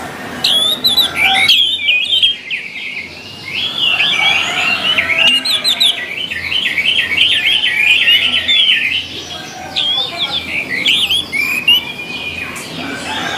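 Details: Orange-headed thrush song meant to coax caged birds into singing: opening whistled notes, then a long, rapid, rolling warble of repeated looping notes several seconds long, and closing chirpy phrases.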